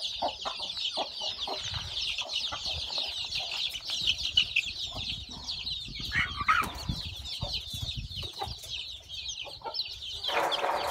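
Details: Newborn chicks hatching from a hen's eggs on a farm peep continuously in high, rapid chirps. Clicks, rustling and a brief burst of lower sound near the end join in.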